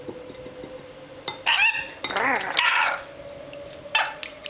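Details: A pet rainbow lorikeet bathing in a bowl of water gives a few harsh, screechy squawks and a short warbled chatter over about three seconds, with splashing and clinking.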